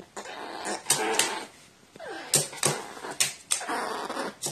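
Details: Tame, affectionate crow indoors, turning angry when petted the wrong way, recorded 14 April 2018: harsh, throaty bursts of calls in quick irregular succession, with rustling and handling noise.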